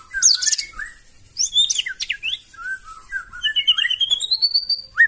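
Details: Provoking song of a white-rumped shama: harsh high bursts and slurred whistles, ending in a long series of rapidly repeated, rising high notes.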